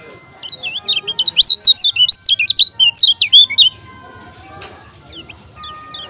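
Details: Lombok yellow-crowned bulbul, likely caged, pouring out a rapid string of loud, high, zigzagging whistles for over two seconds, then falling quiet while faint distant chirps continue.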